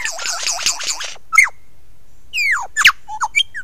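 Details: Lyrebird singing close up at 9 AM on 16 November 2022: a rapid run of looping, warbling notes, then loud whistled downslurs and sharp clicking chips with varied pitch.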